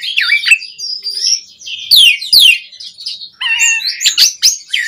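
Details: Asian pied starling in full vigorous song, used as a lure to rouse caged birds: continuous high mix of whistles, steep downward sweeps and scratchy chatter, with sharp clicks.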